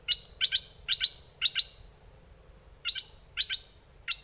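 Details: A red-whiskered bulbul used as a decoy bird utters short sharp doubled chirps in quick pairs, a pause, then more pairs, over a steady low background hum.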